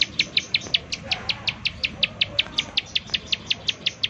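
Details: Bar-winged prinia lure call of the 'nembak' style, meant to provoke other prinias into song: a quick train of sharp, bright, high-pitched chips repeated evenly, about three each second, over a noisy background.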